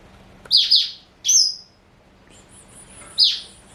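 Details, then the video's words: Four-year-old male black-throated canary, a Somerini x Botswana cross kept at home, sings a double high chirp, a drawn-out whistled note, a faint thin trill, then one more sharp chirp. "Kicau Merdu BLACKTRHOAT SOMBOS Somerini x Bostwana Usia 4 Tahun"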